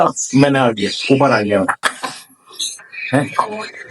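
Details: A female pet Congo African grey parrot talks in three or four short, speech-like phrases with rising and falling pitch, separated by brief pauses.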